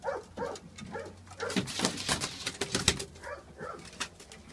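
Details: Young racing pigeons from the first round of chicks, April 2015, in a loft: a busy mix of short rough squeaks and peeping cheeps, irregular and overlapping, with rustling and wing noise throughout.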